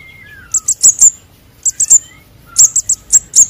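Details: Begging-type calls of young konin and sogon sunbirds for luring birds: rapid runs of three or four thin high chips, separated by pauses, with faint lower descending whistles from another bird in the background.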